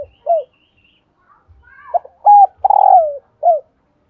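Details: Spotted dove female calling to trigger cooing in males: a single falling note, then a rising slur, a clipped double coo, a strong long coo dropping in pitch and a final short down-slurred note.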